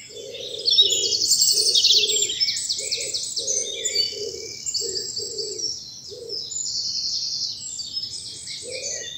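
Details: Early morning birdsong in a spring bluebell wood, South of England; high buzzy trills and twitters from several birds over a low soft cooing repeated about once a second.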